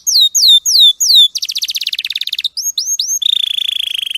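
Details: Champion canary singing clearly for use as a teaching recording for other birds: three long falling whistles, a quick rattling trill, two rising notes, then a rapid buzzy steady trill.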